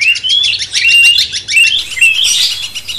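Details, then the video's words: Cucak cungkok bulbul singing as a training master for a magpie-robin, a run of level whistled notes repeated every half second amid dense twittering and a fast buzzing background. "Masteran cucak cungkok bangkitkan emosi kacer"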